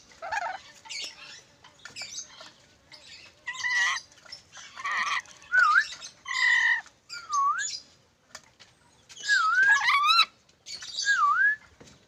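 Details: Black-capped lory calling with a mix of rough squawks and clear whistled notes that dip and rise in U-shaped curves, delivered in short bursts roughly every second over twelve seconds.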